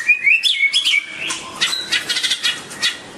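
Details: White-rumped shama giving quick, bubbling whistled notes that rise and fall, followed by a run of rapid scratchy chips and clicks fading toward the end.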